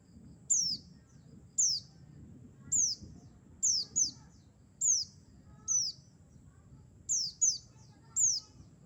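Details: Lure sound for trapping Mountain white-eye of the buxtoni race: a steady series of roughly eleven piercing, high falling whistles, some paired, spaced about a second apart above a dull low hum.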